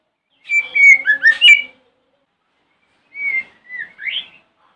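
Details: White-rumped shama singing in the morning, used as a lure to provoke other shamas into answering: a burst of clear, slurred whistled notes, then silence, then a second shorter phrase of rising whistles.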